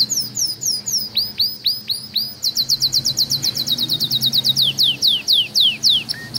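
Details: Canary in a breeding room singing a rolling chain of curved, slurred whistles that speeds into a quicker higher run, then slows to spaced downward notes.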